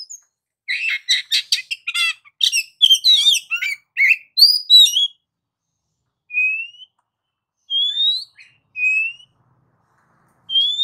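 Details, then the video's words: Oriental magpie-robin in continuous ngacor singing. A dense burst of chattering, varied chirps and trills comes first, then a run of well-spaced, clear whistles, each sliding upward, with no other sounds. "Suara Burung Kacer"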